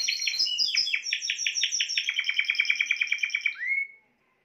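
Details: Spanish timbrado canary song: fast regular trill of sharp downward-swept notes, about a dozen per second, ending in a short rising whistle before silence.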